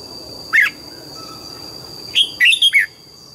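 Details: Morning song of a red-whiskered bulbul: a single bright note, then after a pause a quick liquid warbling phrase of several rising and falling notes, with a constant background hum.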